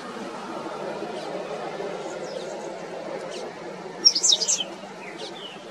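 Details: Black-faced grassquit in the Arashi desert, Aruba, in October 2022 gives a few faint, thin chips, then one short, high, buzzy burst of song over a steady low background rumble.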